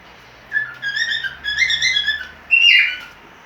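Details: Cockatiel in breeding condition giving its mating call: a run of clear, mid-pitched whistled notes with slight wavering, ending in a louder, harsher rising screech.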